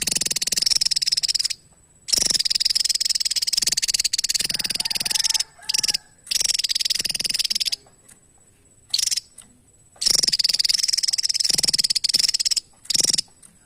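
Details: Persistent Javan tesia song: long, dense, buzzy high trills of fast pulses, interrupted by short bursts and silent gaps, with a faint low whistle in the middle.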